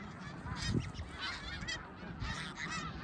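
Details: Short burst of massed snow goose honking at Middle Creek, 2022: many yelping, nasal calls overlapping in a steady din, one louder low thump near the start.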